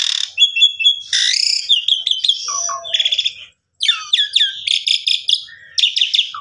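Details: Asian pied starling singing a rich medley, meant to prompt a sulking silent bird: buzzy bands, downward-slurred whistles, a short gap, then rapid stacked harsh notes in quick succession.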